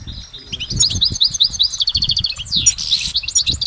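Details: Goldfinch in nature producing lively high twittering, strings of fast repeated notes, a swooping downward slur and a short buzzy passage.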